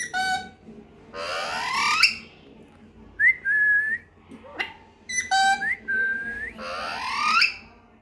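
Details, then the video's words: Pet parrot giving loud harsh rising squawks alternating with clear whistled phrases, each a short upward note followed by a level note, repeated several times in a quiet indoor setting. "funny parrot 🦜 😄 beautiful mitthu sounds"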